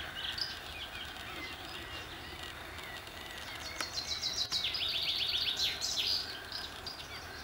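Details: Common nightingale singing at Hullehavn, Bornholm: varied high phrases, then a loud, rapid rattle of repeated sliding notes, about four per second, over a steady outdoor hiss.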